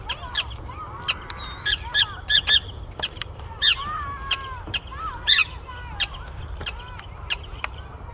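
Forster's Terns give harsh, grating, nasal calls in irregular bursts every second or so, mixed with lower, downslurred notes. Several birds seem to be calling.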